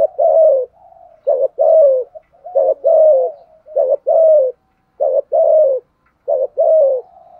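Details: Decoy spotted dove giving urging coos to provoke wild doves: steady series of two-part phrases, a short clipped note then a longer downslurred coo, repeated about every 1.3 seconds, clear and close.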